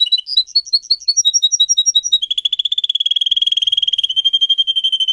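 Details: Pet canary singing a training song: slower whistled notes alternating high and low, then a fast, even buzzy trill of rapid repeated notes lasting about three seconds.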